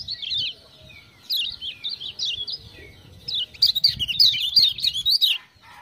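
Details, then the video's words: Lemon-bellied white-eye from Lombok singing in response to 'ciak-ciak' sounds, with quick high twittering phrases rising and falling, a short gap, then a louder rapid run of warbles before it stops. "Kecial Kuning joss gacor"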